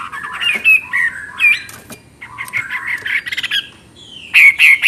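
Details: Chinese hwamei in energetic song, varied sliding whistles and rapid rattling notes in bursts separated by short pauses, ending with clear looping whistles.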